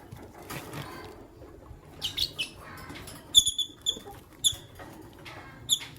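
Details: Morning chirping from Fischer's lovebirds, a white albino with a pastel green bird: short clear whistled tweets repeated in irregular runs, mixed with rougher scratchy squeaks.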